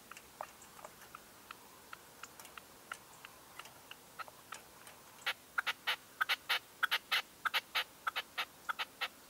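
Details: Dawn call of a decoy red-legged partridge, 2023: soft, sparse notes at first, then about halfway through a loud, insistent string of rapid chattering calls.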